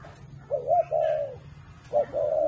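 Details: Whistle-voiced spotted dove (thổ mổ còi style) at a bird farm in Ba Vì, Hanoi, Vietnam. It makes two rounded coo phrases, each a short, slightly rising note followed by a longer, level whistle, over a low background hum.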